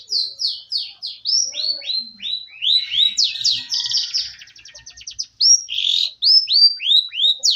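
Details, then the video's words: Canary song offered as training material: a series of slurred, descending whistled notes, then a fast buzzy trill of repeated notes, ending with more downslurred whistles. "CENDRT MATERI BURUNG KENARI"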